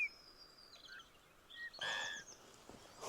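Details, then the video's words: Eurasian bullfinch song at sunrise in a Norwegian mountain forest: soft, thin piping whistles, then a brief louder burst of creaky, fluty notes, faint against a quiet outdoor hush. "And that's the song of a bullfinch."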